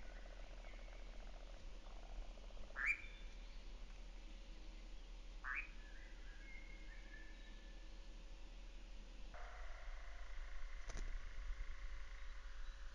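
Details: Nightjar recorded in 2019: after scattered chirps and clicks from other birds, a steady low mechanical churring trill starts abruptly about two-thirds of the way through and runs on unbroken to the end.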